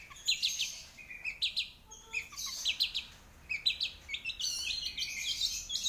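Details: Long-tailed shrike singing bursts of scratchy chirps and mimic-like phrases, clustered in short groups about a second apart, with a few low whistled notes between.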